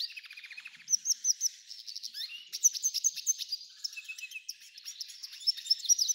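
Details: An F1 hybrid goldfinch (pintagol) sings a fast, high twittering song of bright chirps, short buzzy trills and slurred whistles in quick bursts, with no other sounds.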